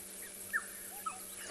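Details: Background Black-headed Oriole on a late-September sunset safari drive in South Africa's Tswalu Kalahari Reserve: a pair of brief clear whistles dropping in pitch, roughly half a second apart, quiet against a soft hissing backdrop.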